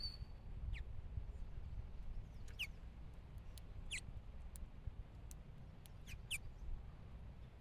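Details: House finch at a bird feeder; short sharp descending chirps given singly or in quick pairs every second or so, over a low background rumble and scattered clicks.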